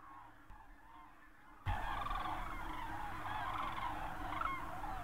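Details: Common crane flock near Berlin, Germany, 24 October 2015; after a quieter opening with distant calls, a loud wall of overlapping trumpeting calls begins abruptly and continues.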